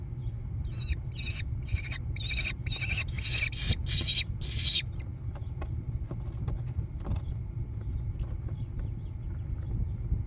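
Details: Growing American kestrel chicks in a barn-side nest box overlooking hilly meadows, Prairie du Chien, Wisconsin, USA, June 14, 2022: a rapid run of about nine scratchy, buzzy bursts over five seconds, then quiet with faint clicks and a constant low hum.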